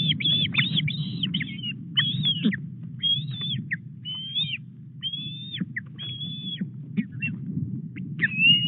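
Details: Osprey at the Llyn Clywedog nest in Wales as a headless fish is delivered, 4 August, morning. Drawn-out, flat whistled calls, some run together, others spaced about a second apart, with steady low wind noise.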